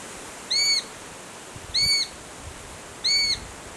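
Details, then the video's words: A young Eurasian sparrowhawk fledgling at Treshnish, Mull, Scotland, on 4 August 2016 gives three thin, squealing, slightly arched calls about every 1.3 seconds against a quiet background. "Sparrowhawk fledgling"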